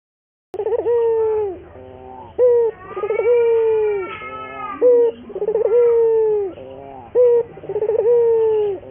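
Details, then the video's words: Local Barbary dove cooing as a lure for training other doves to sing readily: a short clipped note, then a long tremulous-onset coo that glides down, the pair repeating about every two seconds after a brief silent start. "pancingan burung puter gacor, melatih burung puter lokal agar cepat gacor"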